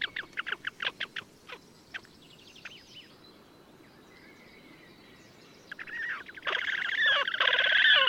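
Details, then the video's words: Slavonian grebe in the wild at Gavieze, Latvia, May 2024. A string of short sharp notes opens, then a quiet spell, then a loud rattling squealing trill swells up in the last seconds. "RAGAINAIS DŪKURIS / Podiceps auritus /"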